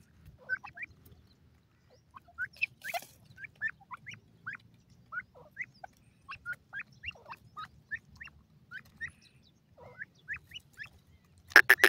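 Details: Grey francolin, male and female calling together: a long series of short, sharp rising notes repeated about three to four per second, ending in a loud harsh burst, over a low steady hum.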